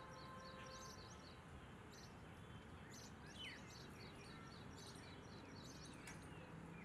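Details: Common mynas calling in the morning on 3 March 2023: scattered short chirps and whistled notes with a few downslurred squawks, faint over a steady low rumble of background noise.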